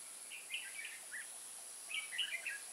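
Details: A red-whiskered bulbul decoy in Kim Bôi, Vietnam, on 14 May 2018, singing to lure wild birds toward a trap; two short bright warbled phrases about a second apart against continuous high insect noise.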